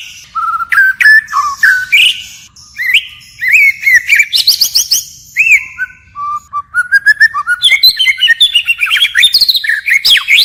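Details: White-rumped shama song in forest style, phrases changing continuously: a dense, varied stream of whistled notes, rapid trills and upward slurs, barely pausing across the whole stretch.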